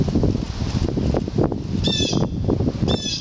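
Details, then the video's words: Fledgling red-tailed hawk recorded on 2 July 2014 at Mount Auburn Cemetery: two short, hoarse, harmonic screeches about a second apart near the end, after a stretch of low rumbling wind noise. "RED TAILED HAWK FLEDGLING"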